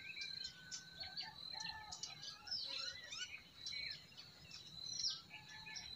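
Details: Spring chorus of forest birds: overlapping whistled phrases, rising and falling chirps, and trills over a continuous high-pitched hum and quiet stream backdrop.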